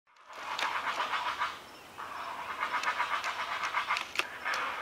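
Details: A heron chick being fed high in a forest tree, adults flapping nearby, begs with a fast, rasping ticking of harsh clicks, about four a second, in bursts with a short pause in the middle.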